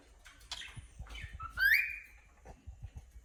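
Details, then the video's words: Cockatiel, a pet bird, chirping: a short rising whistled note that bends upward and holds briefly, preceded by soft scratchy chirps, over a low background rumble. "cute cocketiel bird chirping"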